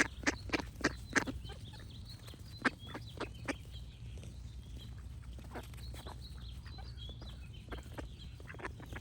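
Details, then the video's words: Several loud duck quacks open the recording, then only sporadic ones, while high, thin bird whistles continue over a low rumble. "Cute Ducks Quack Sound Effects with Birds Singing"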